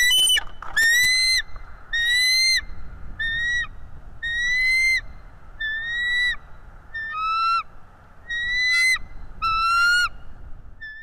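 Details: Bald eagle on a nest camera chasing off an intruder eagle: a loud opening screech, then a regular series of high piping whistles about one a second, some notes falling lower near the end.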